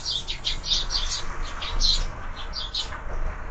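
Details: Sparrows at a bird feeder, filmed by a bird camera: rapid bursts of short, high chirps overlapping through the clip, with a steady low rumble underneath.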